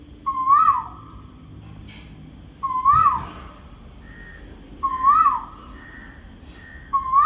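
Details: Morning calls from a noisy bird giving a repeated 'ku oo': four strong, hollow, whistled notes that rise and fall, about every two seconds, with quieter higher notes answering between them.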